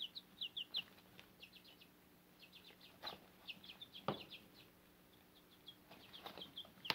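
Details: Backyard chicks, almost grown and growing adult feathers, with their Cochin mother hen on fodder: quick high peeps in short clustered bursts, some doubled or tripled, repeating through the clip over a faint steady hum and a few soft knocks.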